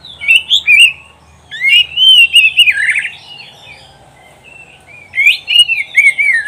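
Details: Kacer, or oriental magpie-robin, singing on a recording made to train pet birds for competition: sharp chirps, then a long rich warbled phrase, a quiet pause, and another whistled run.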